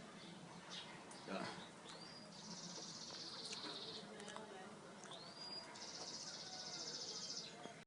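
A sun conure gives two shrill calls, each rising sharply into a long, harsh, buzzy screech.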